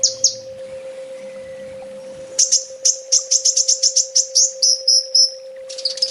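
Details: Master song for training home birds by an olive-backed sunbird (kolibri ninja), 'full tembak': after a quiet start, a fast run of shrill high chips, about four per second, fading into thin whistles, with a steady hum.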